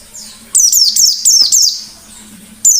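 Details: White-eye singing in the ngalas style, used as a lure recording: bursts of high, sharply falling whistled notes strung together in quick rattling phrases, pausing briefly, over a faint low steady hum.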